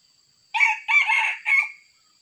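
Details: Sumatran red junglefowl, wild, caught with a decoy, crowing in three hoarse, shrill segments, a short opening note, a longer middle and a fading final note, with a thin steady high tone throughout.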